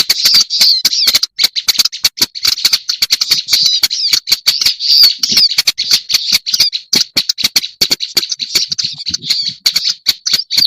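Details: Black-browed reed warbler lure sound: a long, unbroken, grating chatter of rapid scratchy notes and wheezy twists, with dense rhythmic clicks running under the whole phrase.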